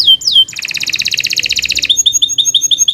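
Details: Kenari Nusantara canary singing at length, a master recording for training young or silent birds: two slurred downward notes, then a fast, even rattling trill lasting over a second, ending in quick, short descending chirps.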